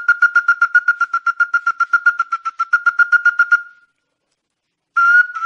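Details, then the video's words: Ruddy-breasted crake lure call: a steady, fast series of about twenty-five hard nasal notes over three and a half seconds, a pause, then another loud burst begins. No other sounds. "Tikusan Mata Merah ║ Ampuh Untuk Pikat !"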